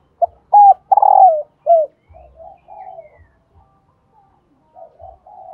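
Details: Call of a female spotted dove, played so that decoy males will coo; one strong phrase of short, hooked, long burry and falling coos, followed by quieter murmured coos trailing off.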